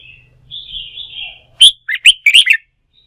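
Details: Red-whiskered bulbul, a caged bird stimulated into full voice for song-fighting training: a soft warbling lead-in, then loud, sharp, fluttering whistled notes in a quick burst.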